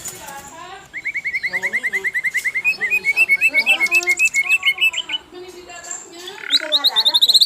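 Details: Asian brown flycatcher singing energetically: a long even series of rapid chirps rising slightly in pitch, then softer mixed twitters and a closing run of high sharp notes.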